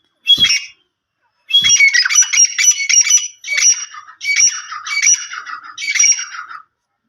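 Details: Grey francolin calling loudly. A short opening note is followed by a run of harsh, ringing phrases, each about half a second long, repeated six times in a steady rhythm against a silent background.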